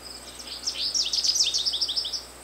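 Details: American goldfinch song: a quick, bright run of high, twittering notes that rise and fall, with sweet slurred phrases packed closely together over about two seconds.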